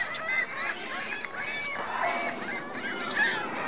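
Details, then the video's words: Geese accompanied by goslings at Virginia Lake, Reno: soft, steady chorus of short honks and faint high peeps, evenly spread without strong peaks, several birds calling together. "Geese Goslings Reno Virginia Lake"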